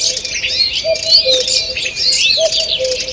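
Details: Busy morning forest song, 2 June 2023: a thick layer of high warbling and chirping, broken by a lower two-note call heard twice, about one and a half seconds apart.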